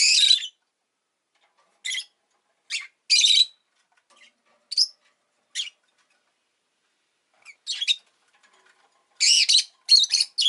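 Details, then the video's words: Harsh, shrill chirps from a pet rosy-faced lovebird, some clipped single notes and some longer buzzy bursts, coming in irregular spurts that end in a dense flurry. "Lovebird Chirping Sounds"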